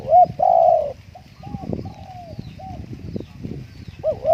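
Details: Spotted dove at home on a windy day, cooing a series of hollow, mellow hoots of varying length, a long one early and softer ones later, over steady wind rumble and scattered thumps.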